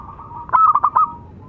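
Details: Local zebra dove, one of a male and female pair, singing. One short rolling phrase of five clipped coo notes over a faint continuous purr.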